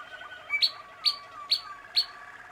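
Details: Young Malinois Waterslager canaries, 2016 birds, giving four loud, sharp, high ringing notes about every half second over soft low rolling trills, with a constant faint hum beneath.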